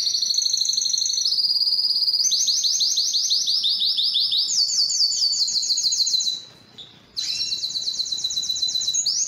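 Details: Canary song, Belgian or Spanish timbrado, recorded for training: chained high trills jumping to new pitches every couple of seconds, rapid descending note series, a short silence, then trilling again.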